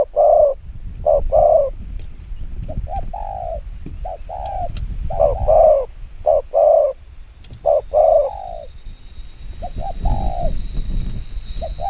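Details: Spotted dove with very quick 'gù kích bổi' cooing: bursts of paired low coos, then quieter stretches with a soft background rumble and a faint steady high tone.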